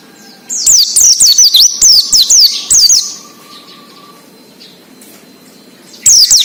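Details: Oriental white-eye singing ngalas, the wild style used to draw out captive birds: a long, fast string of high, thin, zigzagging whistles lasting over two seconds, a quiet pause with a faint steady tone, then a fresh burst.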